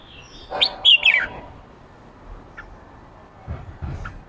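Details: Wild-caught male red-whiskered bulbul in a fiery mood for ché singing. It delivers one quick phrase of three loud, sharp descending whistled notes, followed by near silence and a few faint chips.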